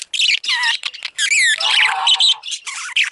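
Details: Female budgerigar, a pet parakeet, chirping: whistled rising and falling notes mixed with rasping chatter, loud and continuous with short breaks.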